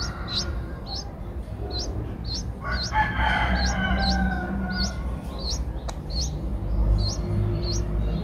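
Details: Young Streak-eared Bulbuls, eight days old, Ubon Ratchathani, Thailand, 10 April 2023. They repeat quick, high, hooked upslurred chirps several times a second, while a rooster crows in the background.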